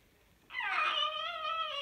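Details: Pet cockatoo in its cage at night after bedtime, in the dark with a sheet over the cage, voicing one smooth, drawn-out, harmonic-rich tone that swells in quickly and holds steady, slightly wavering, for over a second in a quiet indoor room.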